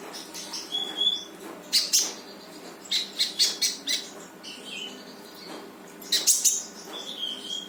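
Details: Lively brown-throated sunbird singing, meant to trigger a silent bird: clusters of sharp high chirps in quick series, thin whistled notes and a brief lower buzzy note, with a low steady hum.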